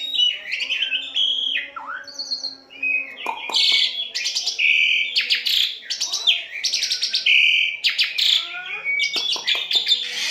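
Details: Asian pied starling singing a rich varied song made as imitation training for captive birds: bright sustained whistles, buzzy bursts and rapid chattering trills, continuous and loud throughout.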